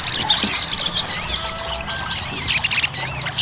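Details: Ruby-cheeked sunbird in full, lively song, played as a lure to make other sunbirds sing: shrill, rapid chirps and arched whistled slurs tumbling over one another in a busy high-pitched chatter.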